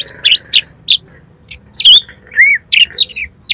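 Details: Kacer, or Oriental magpie-robin, lure song to set birds singing and opening their tails: loud separate whistled notes, some rising and some falling, with brief gaps between them over a faint low hum.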